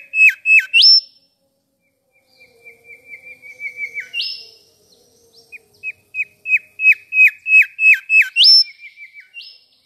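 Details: Mangrove whistler singing sweetly: rapid runs of short whistled notes, several a second, each series ending in a rising, higher whistle. A quiet pause falls between the phrases.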